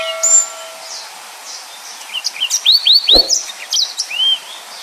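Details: Yellow-fronted canary in Indonesia singing in the 'nembak' style: a few thin high whistles, then a quick run of rising, upslurred whistled notes repeated in a short series, with a brief low thump midway.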